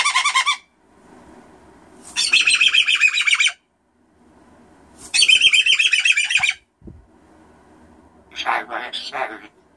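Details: A pet cockatoo kept indoors screaming for no reason: long, very loud, harsh grating bursts of rapid pulsed shrieks lasting a second or more, separated by quiet pauses, with a brief knock and softer chatter near the end.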